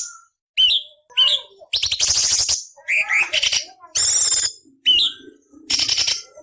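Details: Cucak cungkok song used as a tutor recording for magpie-robins, leafbirds and kacer, with harsh rasping fill variations: sharp whistled upslurs alternating with coarse buzzy rattling bursts, after a brief silent opening.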